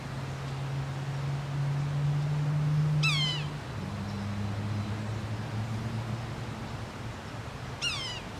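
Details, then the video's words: Yellow-bellied sapsucker calling repeatedly at Taylor Arboretum, Nether Providence Township, Pennsylvania; two nasal, cat-like mewing calls slurring downward, about five seconds apart, over a steady low hum. "Yellow Bellied Sapsucker"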